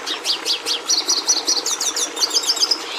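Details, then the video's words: Red siskin singing a fast, high twittering song: repeated sharp chirps, then a run of quick buzzy notes and curled whistled phrases, ending in a rapid trill of bright notes. "Canto do Tarim da Venezuela"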